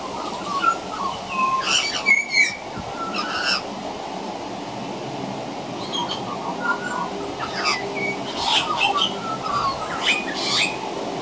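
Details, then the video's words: Young Australian magpie practising carolling from a veranda: clusters of rasping squawks and whistled notes early and late, quieter warbled phrases between. Juvenile pied butcherbirds also practise songs nearby. "Juvenile Magpie Practicing Singing"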